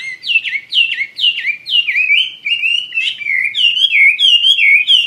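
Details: Wambi mandarin bird in full active song, a continuous stream of fast, downward-swooping whistled notes repeated more than twice a second, ending in high chattering twitters.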